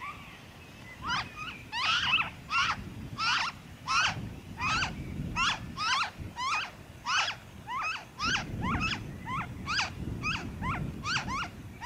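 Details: A noisy friarbird in Victoria, Australia, in February 2023 gives harsh, raucous, cackling notes, about one and a half each second, over a low rumble of wind or background noise.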